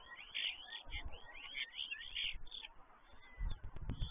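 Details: Common starlings, a group of five perched on an empty stork nest, keep up a continuous warbling chatter of squeaky whistles and wheezy rattles for about two seconds, then fade, with low knocking and rumbling noises at the end.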